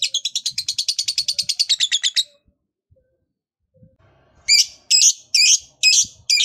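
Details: Lovebird long trill, the prized ngekek panjang style, used to rouse other lovebirds to sing: a rapid, even chattering trill of about twenty high notes, a pause, then loud harsh screechy chirps repeated roughly every half second.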